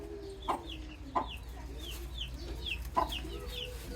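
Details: Little baby chickens chirp in thin, high, falling peeps, repeated every half second or so, with a few sharp taps and a low steady tone beneath.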